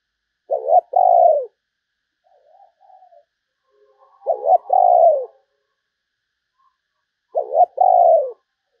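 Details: Spotted dove used as a lure for other doves, repeating its coo three times at roughly three-second intervals. Each phrase is a short hooked note plus a longer falling one, with faint soft murmurs between phrases.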